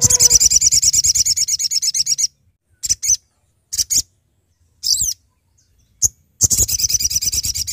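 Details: Calling sooty-headed bulbul used as a lure for trapping: long, rapid, rattling chatter, a handful of short harsh notes after a pause, then the fast rattle resumes.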